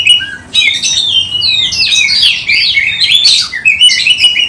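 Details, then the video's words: Song of a kept Oriental magpie-robin, singing with its tail open, meant as a lure for other birds: dense, rich whistles and rapid warbled slurs sweeping up and down, nearly continuous after a short opening note. "KACER GACOR buka ekor bongkar kualitas cocok untuk pancing kacer"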